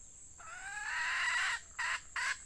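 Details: Red junglefowl hen kept as a decoy for luring wild birds, recorded in rainy weather: one long harmonic note rising slightly and lasting about a second, followed by two short harsh bursts.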